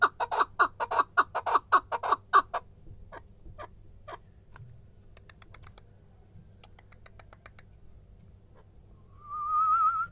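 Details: A male chukar partridge gives a burst of loud, rapid chucking notes for a couple of seconds, then softer scattered clicks follow, and a wavering whistled tone closes the passage.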